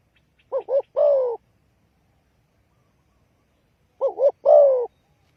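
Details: A spotted dove calls as a trapping lure. It gives two clipped wavering notes and a longer, slightly buzzy downward coo, and the phrase is repeated after a few seconds of silence.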